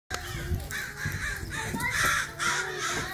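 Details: Backyard crows gang up on another crow, giving harsh, raspy caws that overlap one another over steady background noise, with a brief human voice in the mix.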